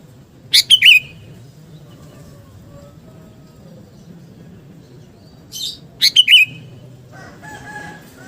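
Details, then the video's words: Sooty-headed bulbul of the kind called kutilang garuda, a lively gacor song meant to build fighting spirit: two short bubbly whistled phrases, one near the start and one after a five-second pause, over faint low hum. "KUTILANG GARUDA GACOR penggedor mental tarung Burung KUTILANG"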